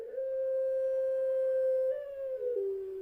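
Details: Puter pelung dove with a long champion-style voice: a single extended pure tone held almost two seconds, briefly lifting, then stepping down in pitch to a lower sustained finish.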